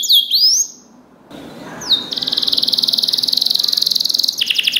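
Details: Canary song used to train other canaries: a few sweeping whistled notes, a short quiet gap, then a long fast buzzy trill that shifts to a lower roll at the end.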